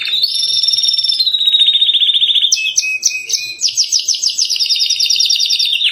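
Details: Canary in rich rolling song for training caged birds: a long steady trill drifting lower, a few clear whistles and clipped notes, then a fast chopped trill.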